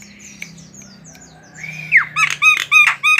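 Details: Javan myna, a tame bird, opens with a soft rising whistle and a sharp downslur, then a burst of loud, repeated harsh chirps.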